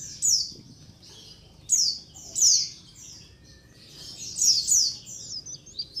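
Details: A white-eye colony serving as a lure: high, thin chirps sliding downward, grouped in irregular bursts separated by quieter pauses, with a soft low background hum.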